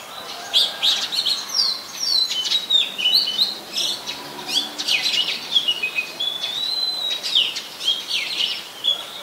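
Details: An Oriental magpie-robin (Copsychus saularis), a very common resident, in Ubon Ratchathani, Thailand, on 24 December 2020 sings a lively, nearly continuous run of varied high whistles, trills and short chirps, with other bird chatter mixed in.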